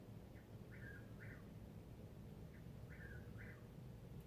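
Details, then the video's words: Unidentified bird calling all night long: faint paired falling whistled notes repeated roughly every two seconds, a short lead-in note before each pair, over steady low background noise. "Bird making same noise ALL NIGHT LONG!"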